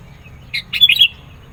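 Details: Sooty-headed bulbul giving its insistent song to lure birds and press rivals: a brief, lively phrase of several bright whistled notes rising and falling quickly, preceded by a soft buzzy note.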